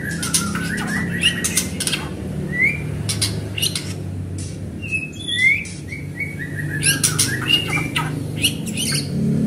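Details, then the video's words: Persistent song of a white-rumped shama, played to provoke other shamas to sing: sharp harsh clicking bursts mixed with short rising and falling whistled phrases, varied and irregular, with a steady low hum beneath. "Murai gacor cepat memancing bunyi"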